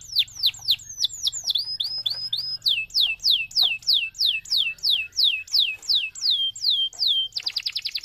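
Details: Canary singing a long, lively master song meant to prompt other canaries to sing: repeated downward-sweeping whistled notes, about three per second, ending in a fast buzzy trill.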